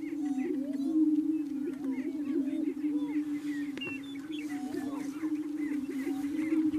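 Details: Displaying greater prairie chickens at a Colorado lek near Wray, over 35 birds, males posturing and dancing to attract females; dense low droning boom chorus with many higher rising whoops and chattering cackles.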